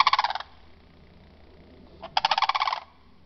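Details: A Sandhill Crane from a family that visits a Venus, Florida ranch in the morning gives two loud, rolling, rattly trumpeting bursts, each about half a second long, roughly two seconds apart, over a faint low hum.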